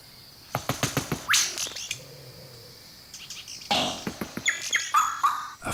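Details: A male Vogelkop Bowerbird, a mimic, directs his song at a watching female during courtship at his bower: rapid dry clicks and rattling bursts, a pause, then harsh churring noises mixed with short whistled notes.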